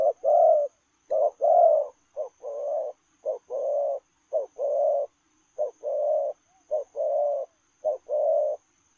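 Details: Spotted dove giving 'lèo rồng' style coos as it runs. Soft, low, two-part phrases, a clipped note followed by a drawn-out burry coo, repeat steadily through the recording against a faint constant high whine.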